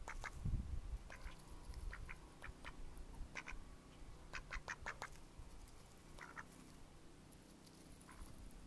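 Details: Mallard ducks recorded in May 2014, giving scattered short nasal quacks, some in quick bursts, over a low rumbling background.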